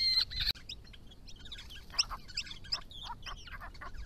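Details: Grey-crowned babblers of a resident family group on a rural property in Victoria, visiting water in hot weather, calling to each other while drinking and bathing: scattered short chattering and chirping notes, with high whistled squeaks.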